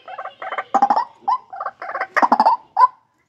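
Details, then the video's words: White-breasted waterhen bred in captivity, giving short bursts of hoarse, doubled croaks, about three clusters in three seconds, each ending in a quick upslurred squawk. "Suara MP3 Ruak Ruak Nyaring dan Gacor"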